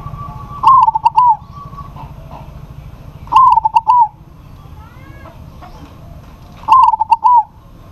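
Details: Local zebra dove in good voice, calling a rival, which answers: three cooing phrases about every three seconds, each a quick stutter of short notes ending in a drawn-out, slightly falling coo, over a low steady background hum.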